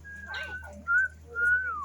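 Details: Captive African grey parrot at a zoo. It gives three clear whistled tones: a long level note, a short bright one, then a longer note that falls at the end. A low hum runs underneath.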